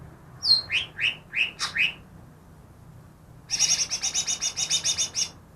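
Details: Greater green leafbird copying other species, trapped two days earlier: five slurred, downward-sweeping whistles, then a rapid, high, evenly pulsed rattle of around fifteen notes.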